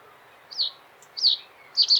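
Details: Short song of a common reed bunting: high falling chirps spaced about 0.6 seconds apart, closing with a paired note, plus a brief faint tick and quiet background noise.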